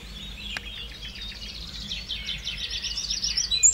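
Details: Eurasian wren singing: a fast, loud run of high trills and rattling notes, each phrase rapidly repeated, over a low steady hum.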